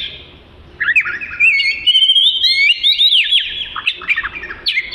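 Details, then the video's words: Oriental magpie-robin, a small black-and-white songbird with a long tail, singing a melodious song used as tutor material; after a brief quiet start, a continuous run of whistled, sliding and chattering phrases fills the rest. "Burung Kacer Merdu Untuk Isian"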